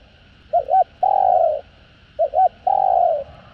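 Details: Spotted dove, or cu đất, calling in the 'hạp bổi' style to rouse kept doves. Two phrases, each a paired short coo and then a long, even, throaty coo easing downward.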